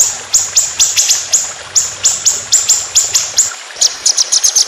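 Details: Competition white-rumped shama giving fast, long 'tembakan' phrases for tutoring. Sharp, high, downward-flicked notes repeat about four times a second, then quicken into a tight cluster at the end.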